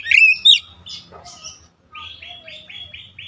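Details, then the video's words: Oriental magpie-robin giving a few loud chirped and slurred notes, then a quieter run of five short repeated whistled notes at a quick steady pace, with a low murmur underneath. "KICAUAN MENAIKAN EMOSI KACER"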